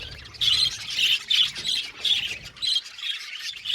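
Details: Budgerigars in an aviary colony giving a series of raspy squawking chirps, bursts coming about every third of a second, louder after the first half second.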